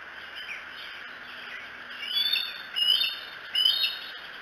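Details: Bald eagle at the Decorah eagles camera, recorded 07-02-2018 between 3 and 4 a.m.: quiet hiss, then three sharp, high, whistled chirps in quick succession, growing slightly louder toward the end.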